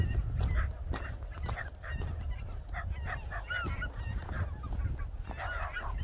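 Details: Wintering greater white-fronted geese, Cheorwon plain, Korea: clear, slightly wavering honks rising then dropping in pitch, several birds calling in turn, over constant low wind rumble.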